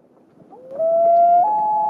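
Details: A Common Loon's wail, in Minnesota: a long, pure, mournful tone that slides upward, holds, then steps up to a higher note. It is used to regain contact with a mate or other loons, often heard at night across lakes but also by day.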